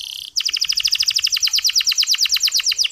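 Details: Canary with a clear, smooth song used to spur male canaries to sing; a short steady high tone gives way to a brisk, even trill of sharp falling chirps lasting to the end.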